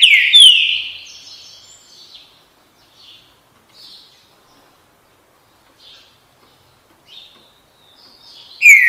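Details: Green-winged saltator delivering loud slurred whistles that drop in pitch, then a long quiet stretch with scattered faint chirps, and the strong whistling starts again at the close.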